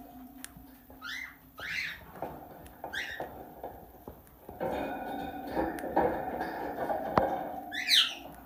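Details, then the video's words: Tame plum-headed parakeet kept as a talking bird uttering a few quick chirped squawks early on, then tonal background clatter and hum, ending with one loud piercing rising call. "Talking Plum Headed Parrot"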